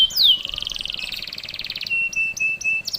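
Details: Actively singing canary with tight rapid-fire bursts, used to prompt young canaries to sing sooner; a sharp falling whistle opens a fast rolling trill, then a few flat clipped chirps.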